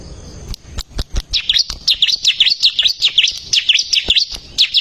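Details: A bar-winged prinia sings strongly on a recording made to train caged songbirds. After a few clicks, a steady string of high, sharply falling chirps follows at about two or three notes per second.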